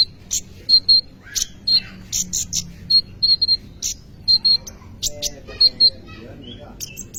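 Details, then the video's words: Sunbird called kolibri ninja in busy song, recorded as a lure for training other birds; sharp high chips repeated in quick pairs and triplets with brief pauses, steady high-pitched rhythm throughout. "kolibri ninja gacor cocok untuk pancingan atau maateran burung bahan"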